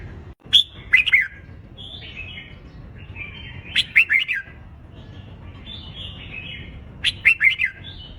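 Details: Red-whiskered bulbul fighting song for contest practice: three bursts of sharp whistle followed by tumbling warbled notes, roughly every three seconds, separated by soft lilting phrases.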